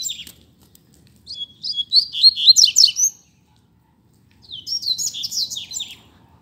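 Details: Rusty-collared seedeater singing in a song contest: two phrases of rapid, high twittering and sweeping whistled notes, each lasting about two seconds, separated by silence.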